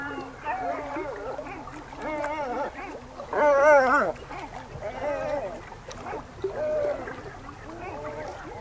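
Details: Great black-backed gull calling with a series of harsh, wavering, drawn-out cries, the loudest rising and falling around the middle, with a faint low background rumble.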